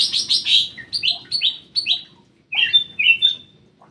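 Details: Captive black-crested bulbul, called cucak emas or kutilang emas, in an aviary: a rapid series of bright descending whistled notes, a brief pause, then loud liquid slurred whistles with a sustained high tone.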